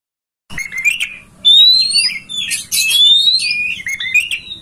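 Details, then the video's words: Oriental magpie-robin song used as a master recording to make a kacer open its tail and sing: varied whistled phrases, rising and falling, with sharp clicks and a faint low hum underneath. "Masteran kacer agar ngobra"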